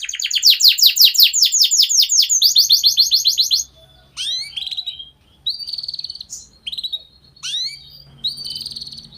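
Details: Canary song for training young birds to sing: quick cascade of descending whistled notes and a buzzy trill, followed by separate short bursts of rising and falling sweeps with gaps between, faint low hum underneath.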